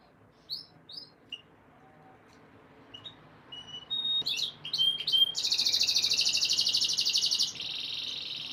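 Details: Canary song meant to condition females for breeding. Sparse chirps and short whistles build into fast, varied notes, then a long, loud rolling trill of about two seconds followed by a second, softer rolling trill.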